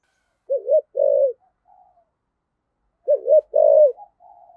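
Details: A spotted dove kept as a decoy, 'giọng thổ' voice style, cooing. Two phrases about two and a half seconds apart, each a quick wavering double hoot followed by a longer, slightly falling coo, then faint soft notes.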